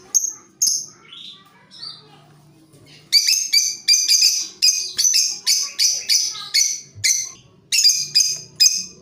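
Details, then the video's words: Lovebirds calling back and forth, used as a lure: a few shrill notes, then a steady run of harsh, high, buzzy chirps, roughly one to two per second, with a faint low hum underneath. "Buat Pancingan lovebirt cocok Saling nyaut dan ngekek panjang"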